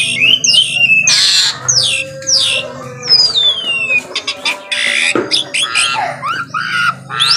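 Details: Morning song of an Asian pied starling: rich, varied phrases of sliding whistles, a long wavering downward glide, rasping squawks and rapid clicking notes, delivered loud and continuous over a low background hum.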